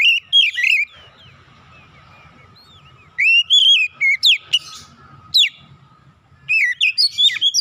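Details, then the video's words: Agitated oriental magpie-robin challenging after being provoked, delivering loud, rich whistled phrases in separate bursts, with notes dipping and rising, and quieter gaps between the outbursts. "sekali pancing Kacer lawan langsung gertak naik emosi bongkar isian"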